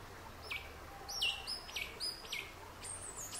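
Yellow-legged thrush singing high, thin whistled phrases, each sliding sharply downward, about five in three seconds over a faint background hiss.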